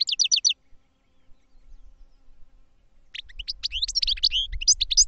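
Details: Goldfinch caged for song training gives a short rapid burst of four high notes, a gap, then a jumbled twittering phrase over faint low rumble.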